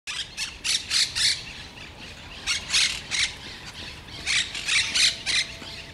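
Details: Parakeet (cotorra) calling outdoors: harsh, grating squawks in bursts of three to five, rough notes repeated about every third of a second, with pauses between bursts over steady background hiss.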